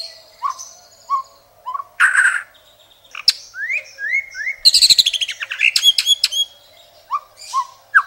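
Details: White-rumped shama (murai batu) singing a rich masteran song with long bursts: scattered short rising whistles, sweeping upslurred notes, a dense cluster of sharp high chips, then more clipped rising whistles with silent gaps between phrases.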